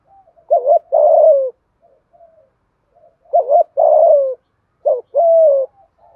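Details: Urgent 'thúc gù' cooing of a spotted dove in 'giọng thổ' style, meant to incite a rival male: three low phrases, each a bouncing double note and a drawn-out falling coo, with faint soft notes in the pauses.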